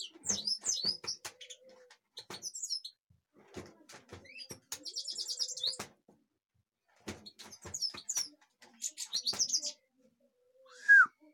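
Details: European goldfinch, Kashmir, delivering scattered bursts of bright twittering and a buzzy trilled phrase between silences, over frequent sharp clicking and tapping noises.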